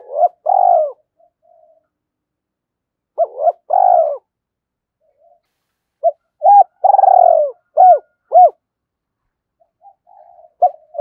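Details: Spotted dove in the two-ending style, calling and challenging wild birds to a fight. It repeats deep hooked coos and throbbing purred notes across several phrases, with soft low murmurs between them.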